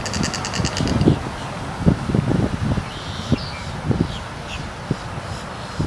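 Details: A snail kite at Tohopekaliga Lake, Kissimmee, Florida, gives a harsh, rasping rattle of rapid pulses for about a second, then falls quiet; heavy wind rumble follows, with faint chirps from small birds.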